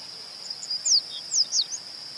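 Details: Yellow-bellied seedeater recorded in Itabirito, Minas Gerais, Brazil. Three sharp, high, down-slurred whistled notes sound in quick succession, set against a steady, piercing insect-like tone that runs throughout.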